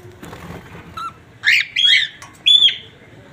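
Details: A pet Australian cockatoo gives three loud, harsh squawks with a ringing edge, each under half a second and spaced about half a second apart, over faint background noise.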